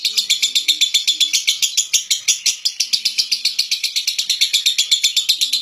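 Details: Famous contest lovebird of Central Java, Indonesia, repeating sharp, high chirps about four times a second in a long, driving sequence, with faint low voices in the background.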